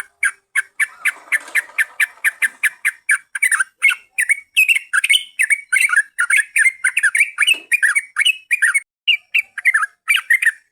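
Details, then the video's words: Lure recording of a yellow-vented bulbul singing: evenly spaced sharp chirps at first, then a denser stream of bubbly, rising and falling notes that chatter on without pause. "Pancingan burung trucukan paling jitu"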